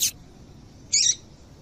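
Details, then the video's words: Female Double-collared seedeater call for making males sing: a brief sharp high note at the start, then a fuller buzzy chirp about a second later, with quiet between. "Esse Piado de Fêmea de Papa capim é Seu Papa capim Vai Ficar Cantando RÁPIDO!!!"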